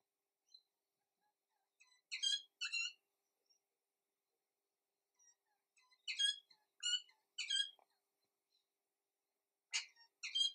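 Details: Little wattlebirds in Australia calling in bursts of harsh, clucking, metallic notes, paired phrases repeated about every four seconds with brief gaps; otherwise quiet surroundings.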